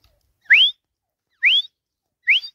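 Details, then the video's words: A grey francolin perched on a swing gives three loud, clear whistles, each sweeping sharply upward, spaced just under a second apart; nothing else is heard. "Teetar ki Jhula Par Awaz"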